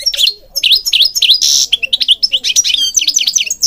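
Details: Continuous goldfinch song for training birds: a lively stream of sharp twittering chirps with down-up inflections, broken by a brief raspy buzz, nearly without pause.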